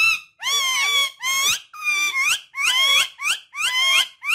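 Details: Pet parrot uttering loud, harsh, strongly harmonic squawks in a continuous run of about eight syllables, each with bending, wavering pitch and barely any gap between them.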